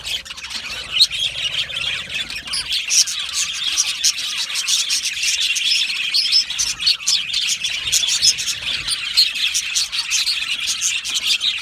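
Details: A flock of Australian budgerigars kept in an aviary, singing and chirping; continuous lively twittering from many birds, thin sharp chirps repeated rapidly over a buzzing warble background.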